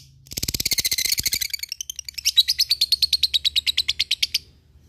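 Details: Lovebird ngekek song, played to provoke rivals and spur fighting birds: a rough, fast chatter that shifts into a rapid, regular trill of bright high notes, several per second, ending abruptly.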